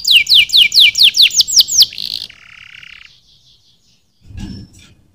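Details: Canary delivering a series of loud, evenly spaced down-slurred whistles, followed by a soft buzzy roll and a lower churring trill that fades out, with a brief faint knock near the end.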